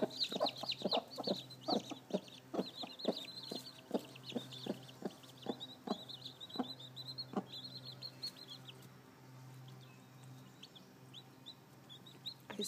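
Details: Seven newly hatched baby chicks, with a hen probably sitting on more fresh hatchlings; high, downslurred peeps repeat rapidly and overlapping, with a regular series of sharp tapping clicks through the first half, then sparser peeping.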